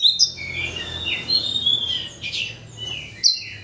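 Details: White-rumped shama, a song used to provoke another shama into singing, here giving soft drawn-out whistles and a few sharp accented notes at moderate volume.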